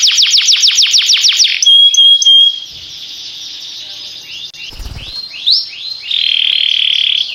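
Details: Canary song opening with a quick run of falling sweeps, then pure steady whistles, a brief thump, rising slurred notes and a closing sustained whistled trill.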